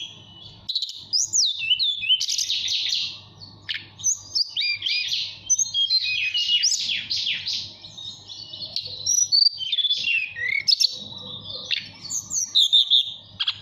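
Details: Caged mountain tailorbird from Purworejo, Central Java, singing to call a female: a rapid, varied run of high whistles, sweeping slurs and chirps, nearly continuous with brief pauses, over a faint low hum.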